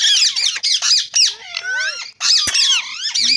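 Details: Green rose-ringed parakeet talking: harsh, squawky speech-like syllables in short loud bursts, some with wavering tonal sweeps, separated by brief pauses.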